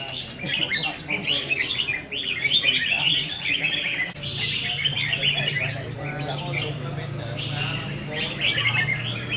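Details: Caged red-whiskered bulbuls competing in a practice singing match, 15 May 2021: strings of sweet, rapid warbled notes from several birds, nearly unbroken, over a low steady hum and occasional soft talking.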